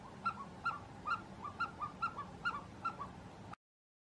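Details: Himalayan snowcock in the Gilgit-Baltistan mountains giving about nine short, resonant clucking notes, each trailed by a softer echo-like note, before the sound cuts off abruptly after three and a half seconds.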